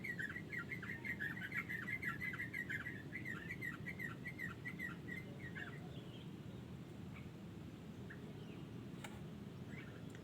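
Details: Wild Yellow-vented Bulbul singing a quick, bubbly run of chirping notes for about five seconds, then a few scattered calls over a steady low rumble of background noise.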